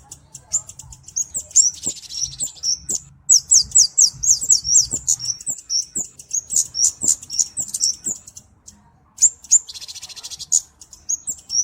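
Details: Kemade, a flowerpecker known as cabe-cabean, sings in a clear recording: rapid bursts of very high, sharp chipping notes in quick runs, broken by short pauses, with a faint low hum and a few soft knocks behind.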